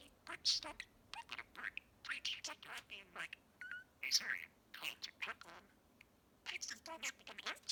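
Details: Male pet budgerigar chattering mimicked phrases on an evening, thin buzzy syllables in clipped bursts, with a brief clear whistled note in the middle and a pause before the chatter resumes.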